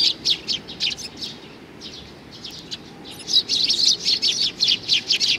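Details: Young sparrow recorded in June 2019, giving quick high chirps in a loose series, about two per second; a softer patch midway, then a louder, denser run of chirps toward the end.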